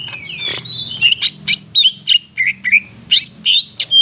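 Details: Greater green leafbird in full active song, Purwokerto, Banyumas: dense tumbling string of loud whistles, trills and harsh chirps, packed closely together, with a low murmur underneath.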